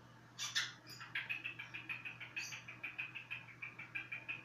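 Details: Cockatiel whistling indoors. A couple of harsh, scratchy notes lead into an even series of short, bright chirps, roughly three every second, over a faint low hum.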